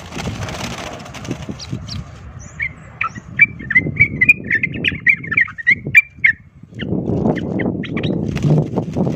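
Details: Sooty-headed bulbul fighting song said to provoke other birds into combative emotion; short bubbly whistled notes in a rapid irregular run mid-clip, with low rumbling background noise before and after.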